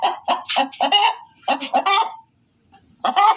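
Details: Female chicken cackling loudly: rapid harsh clucks in a rising, excited run, a second burst of squawks, a quiet gap, then one more strong nasal cackle.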